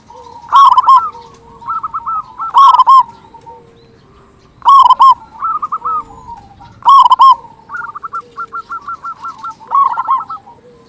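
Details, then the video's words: Zebra dove singing frequently, a local bird with a big voice kept to stimulate other doves to sing; bubbling staccato coos every two seconds or so, alternating with long, rhythmic trilled note series. "Perkutut Lokal Gacor Suara Besar Pancingan Burung Perkutut Agar Cepat Bunyi"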